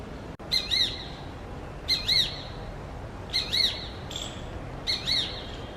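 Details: Shikra calling in the morning: loud, high, wavering double-note bursts with strong overtones, given in four bouts roughly every one and a half seconds, plus a fainter thin call between them over a steady low background hiss.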